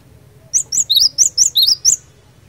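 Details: Energetic song of a Cinereous tit used as a fighter to make rival tits respond at once: a fast run of about eight loud, piercing high notes, alternating slightly higher and lower, delivered within one and a half seconds.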